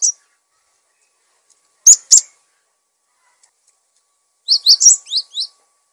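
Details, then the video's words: Cinereous tit song meant for tutoring other songbirds: a few sharp isolated high chips, then a quick burst of six bright, downslurred whistled notes near the end. "Gelatik Batu Gacor! Untuk masteran dan pancingan Burung"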